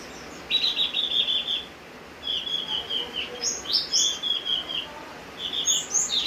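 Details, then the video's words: Javan grey-throated white-eye singing during rain: bursts of high, thin whistled phrases and chattering notes, a pause near the second second, then quick rising and falling slurs over a steady hiss of rain. "opior jawa gacor saat hujan"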